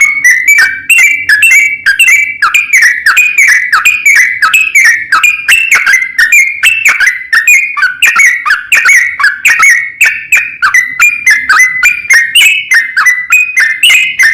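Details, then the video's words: Long rolling song of a yellow-vented bulbul, used to call out rivals so other bulbuls answer; an unbroken run of quick chirps, some rising, some falling, for about fourteen seconds. "suara kicau trucukan ropel panjang memanggil lawan"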